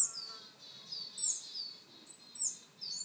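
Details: Willow tit calls: thin, very high tsi notes mixed with drawn-out buzzy phrases, repeated about every second against faint hiss; some coal tit and varied tit voices are also included.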